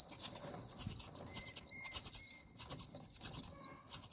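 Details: Baby common mynas begging while fed in their nest, day 7: raspy, sizzling high-pitched bursts in rapid series, each lasting about half a second, separated by short pauses, with a faint thin whistle beneath.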